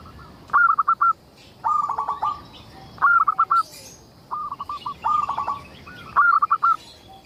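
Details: A local zebra dove singing often, recorded to lure other zebra doves into singing. About seven brisk phrases of stuttering coos come in quick succession, with short gaps between them. Faint high bird chirps sound in the background.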